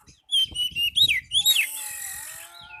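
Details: Oriental magpie-robin song used to lure a rival, made of loud whistled slurs and upswept notes followed by a long harsh hiss, with soft low thumps beneath.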